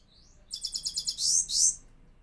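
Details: A Himalayan goldfinch in a cage sings a soft rising note, then a run of rapid high chirps leading into two longer harsh, buzzing phrases.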